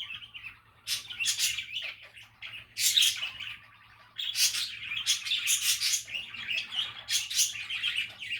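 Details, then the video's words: Budgerigars chattering in a relaxed, happy mood: continuous warbling chirrups around mid-high pitch, broken by sharper bright squawks and bursts, with short quieter gaps between phrases. "Happy and relaxing budgie chatter"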